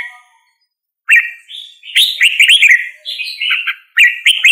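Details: Red-whiskered bulbul song after a quiet start: clear, rippling whistled phrases of quick rising and falling notes, in two bursts separated by a short pause.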